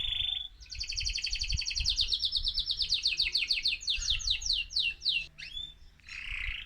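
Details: Mosaic canary, an excited male, singing to stimulate other birds: a short whistle, then a long accelerating run of trilled notes that slow into separate downward slurs, ending with a buzzy note.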